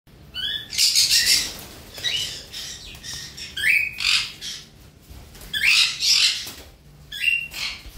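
Budgerigar giving bursts of high, scratchy chatter mixed with short rising whistled chirps.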